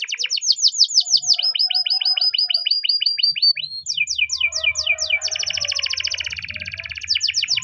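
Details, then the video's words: Spanish timbrado canary singing its morning training song, with a fast descending trill, a long series of evenly spaced falling notes, then spaced whistles and a dense buzzing roll; low drone in the background. "The best canary training song in the morning! spanish timbrado canary singing"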